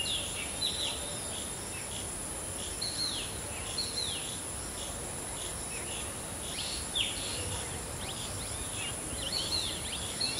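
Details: Mimicry of a shikra by a black drongo: a rapid, continuing series of thin, downslurred high notes repeated roughly every half second to second, fairly quiet, with steady hiss and faint insect-like background noise.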